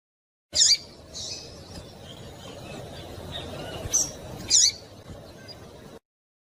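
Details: Female double-collared seedeater giving its call, used by breeders to stimulate males for singing tournaments; three short, sharp, very high chips, one alone near the start and a close pair later, over a steady low background hiss.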